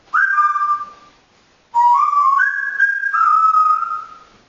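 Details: Pet African grey parrot indoors giving clear whistled tones: a short note sliding down then held, a pause, then three steady whistled notes stepping up and back down, each lasting under a second.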